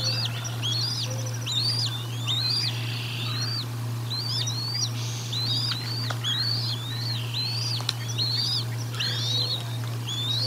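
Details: Recorded by camera at the Decorah North nest on 1 April 2022 during feeding, a bald eagle repeats high arched chirps about once a second for ten seconds, with scattered clicks and a low continuous hum.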